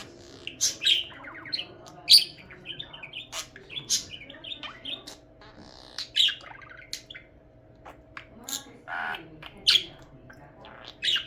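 A budgerigar chatters in quick, scratchy chirps and squawks with bright warbled notes.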